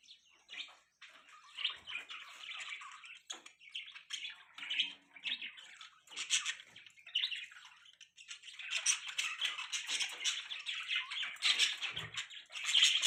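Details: Several budgerigars keep up a long, continuous stream of warbling, buzzy chatter mixed with squeaks, growing denser and louder in the second half.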